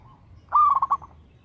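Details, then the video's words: A single song phrase from a local zebra dove: a mellow, steady coo that breaks into four quick beats. "PERKUTUT LOKAL GACOR SUARA TERATUR"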